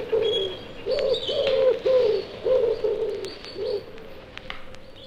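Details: A common wood pigeon gives its cooing territorial song in a British woodland in February: soft, hollow phrases in a steady rhythmic series, with faint higher chirps from other birds in the background.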